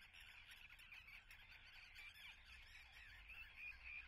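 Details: Harsh, repeated cries from many nesting common terns at Atlit, Israel, on 10 June 2010. The calls come fast and jumbled, a bit louder toward the end.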